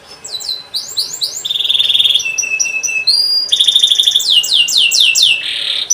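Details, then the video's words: Canary song played to teach young canaries: quick falling whistles, a buzzy trill, flat piping notes, then loud rapid trills and repeated downward sweeps. "Kenari gacor panjang cuit cuit,pancingan kenari paud AGAR Bunyi,terapi ampuh kenari macet"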